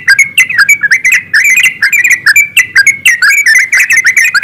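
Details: Several yellow-vented bulbuls singing together in rapid 'ropelan' style, meant to prompt other birds into song; dense bubbly chatter of short whistled notes, rising and falling, overlapping with no pauses.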